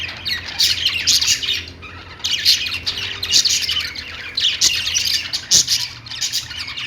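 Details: Several kept budgies produce busy, overlapping squawky chirps and warbles that swell and fade in waves, with a faint low hum throughout.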